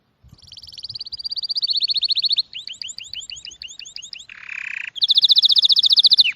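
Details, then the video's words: Songbird singing a loud, high trill of rapid repeated notes, then a run of sharp down-slurred whistles, a short harsh buzzy burst, and a final fast, bright trill. "Sonidos de pájaros☺أصوات العصافير"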